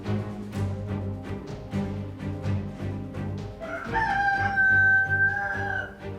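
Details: A neighbour's rooster in a small countryside village near Carcassonne, France, whose crowing at night keeps a neighbour awake, gives one long, strained crow of about two seconds, holding a steady harsh note before dropping away, over background music.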